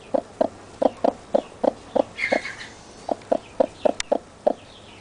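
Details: Chicks just out of the egg, with their mother, peeping nonstop so she stays beside them; short even notes pulse about three a second, with a brief soft chirr in the middle.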